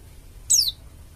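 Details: Bali-type oriental white-eye (pleci dakun Bali), a prolific singer, used to lure other white-eyes into singing: one thin, high whistle sliding steeply downward, lasting under a quarter second, over quiet low background hum.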